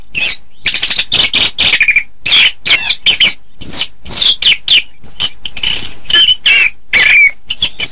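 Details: Chestnut-capped thrush singing a dense, energetic string of varied phrases, including clear whistles, rattling trills, harsh buzzy notes and a long high sweeping note, delivered almost without pause.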